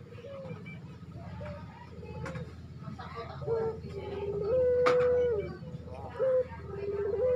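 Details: Barbary dove in breeding condition calling to a female: a short rising note, then a long, steady, low coo ending in a falling slur, repeated after a pause, over a constant low hum and faint background chatter.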